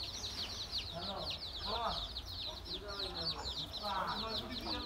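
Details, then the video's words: Domestic hen with her baby chicks, recorded 13 January 2017: a dense stream of high, thin, downslurred chick peeps throughout, with a few soft, low hen clucks and murmurs underneath and a faint background hum. "Hen with her Baby Chicks."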